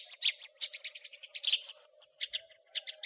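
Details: House sparrow chattering in crecetan style, recorded to train songbirds: a harsh chirp, then a quick run of about ten rasping notes, a pause, and a few separate chirps, with a low continuous hum in the background.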